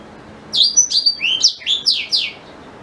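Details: Song of a black-throated canary, used as a tutor for white-rumped shama: a short burst of bright, high-pitched chirps and slurred whistles that begins after a half-second pause and fades after about two seconds.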